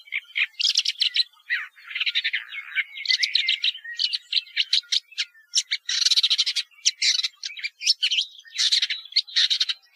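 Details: Woodchat shrike delivering a continuous, rich jumble of harsh chatters, buzzes and squeaky whistles for about ten seconds, phrases following one another almost without break; no other sounds present.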